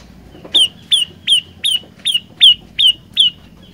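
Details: Vigorous olive-backed tailorbird song: eight loud, sharp notes, each bending downward, spaced a little under half a second apart, with a soft low rumble behind.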